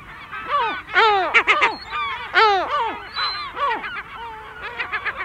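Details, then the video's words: Adult Lesser Black-backed Gull alarming near its chicks, giving loud 'kow' alarm calls: harsh, honking, downward-arching notes in quick bursts of two to four, repeated throughout with several overlapping calls. "Lesser Black-Backed Gull. 'Kow' Alarm Calls From Adult With Chicks Alarming"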